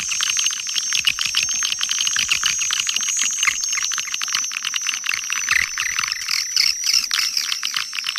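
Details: Swiftlet call and roosting sound from Kampar, Riau, played to attract swiftlets: rapid dry clicks layered under a steady high thin twitter, dense and unbroken, with a brief louder chirping burst near the end.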